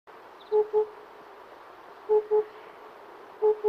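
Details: Oriental cuckoo calling, a low hollow two-note hoot, both notes on one pitch, the pair repeated about every one and a half seconds over steady background hiss.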